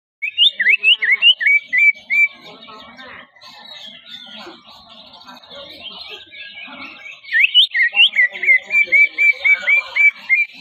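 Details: Greater green leafbird warming up before going on stage at a song contest: bright, whistled notes that rise and fall, repeated rapidly in bursts, with a softer, chattering middle section and some faint voices.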